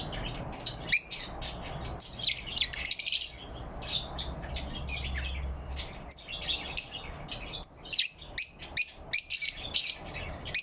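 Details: In morning light on November 4, 2023, lovebirds chirp happily. Bursts of shrill, scratchy chirps come around a quieter stretch, ending in a busy string of rapid notes.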